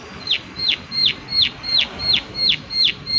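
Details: Evenly spaced, emphatic clicks from a prinia, roughly three per second, each a bright high note dropping sharply in pitch, over a soft noisy backdrop.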